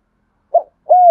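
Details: Spotted dove coo used as a decoy to provoke rival wild birds: a short, soft mid-pitched note, a brief pause, then a longer, steady, level coo. No other sounds.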